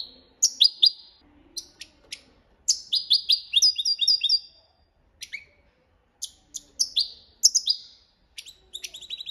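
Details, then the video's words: Copia Málaga song of a European goldfinch, a training song. Bursts of liquid twitters and sharp descending chips alternate with short silences, and a longer buzzy, trilling run sits near the middle. "Jilguero Cantando la copia malaga _ Goldfinch bird singing the wonderful sounds for training songs"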